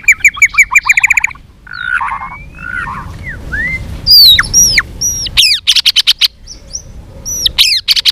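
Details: White-rumped shama in fighting song, many-voiced: opens with a fast stuttering run of whistled notes, then sweeping slurred whistles, sharp high downslurs and buzzy bursts, ending in clipped repeated notes.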